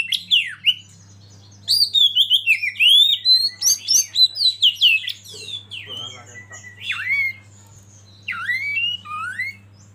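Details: Oriental magpie-robin, called kacer, used as a lead bird to make others sing: bursts of loud, looping whistles and clicks with pauses between phrases, a low hum constant underneath.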